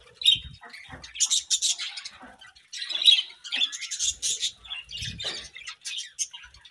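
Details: Budgerigars in morning chirping: clusters of sharp, squeaky chirps and harsher squawky notes, delivered in uneven bursts with brief gaps.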